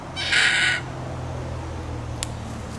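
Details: Red-tailed black cockatoo giving one loud, harsh, grating screech lasting about half a second, followed by quiet low background hum and a single faint click.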